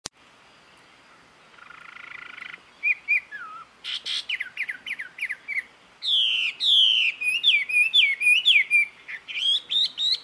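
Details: A jungle babbler in Karnataka, India, a mimic of other birds' calls, gives a rapid, varied run of high whistled and slurred chirps, several a second, rising and falling, over faint hiss.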